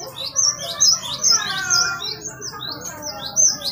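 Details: Lively singing bird used as a lure and training recording, labelled glatik batu: sharp, high, thin notes about twice a second over a busy layer of lower, softer chattering twitters; identified as great tit.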